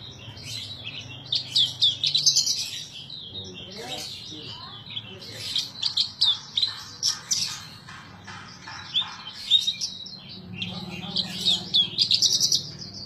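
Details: {'0': "Caged Horsfield's bush lark in full gacor song, a kept bird: bursts of rapid, high chirps and buzzy trills alternating with quieter scratchy passages, the phrases separated by brief pauses."}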